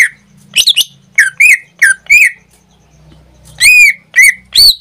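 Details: Pet greater green leafbird in full song, singing almost daily: loud, ringing whistled notes, some clipped and some drawn-out and sweeping, delivered in two bursts separated by a quiet gap, over a faint low hum.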